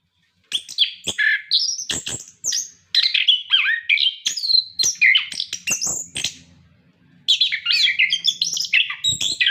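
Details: Orange-headed thrush in lively full song, used to prompt captive birds to sing: rich varied phrases of whistles, slurred notes and sharp clicks, delivered in quick bursts with brief pauses, mostly high and bright.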